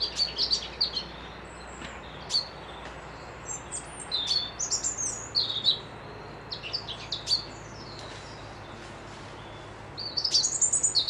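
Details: Lively birdsong at a loch-side retreat in Dundee: busy, high twittering and chirping phrases tumble one after another, with quick repeated notes and brief pauses throughout.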